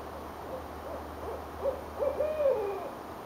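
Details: Owls calling back and forth in Richmond, Virginia, January 2012: faint rhythmic hoots gather into a louder pair of notes and a long, downward-sliding hoot.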